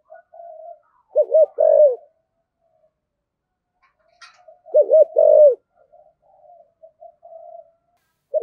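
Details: Spotted dove kept as a lure bird, singing in the 'thổ sấm' voice style: two low, hollow cooing phrases of three or four arched notes each, about three seconds apart, with softer murmured coos between them.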